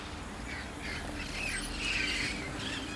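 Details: Wild red-crowned parrots calling as a flock gathers at the end of the day in a city neighborhood in the Rio Grande Valley, South Texas. Rough, squawking calls repeat through steady broadband background noise.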